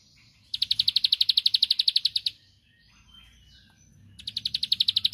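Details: Bar-winged Prinia lure recording meant to provoke rival birds into answering: two bursts of rapid, high, ticking notes, about eleven a second, separated by a short pause.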